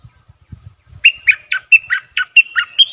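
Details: A streak-eared bulbul (Pycnonotus conradi) gives a quick run of about nine bright, slightly harsh chirps in two seconds, after a second of soft low thumps.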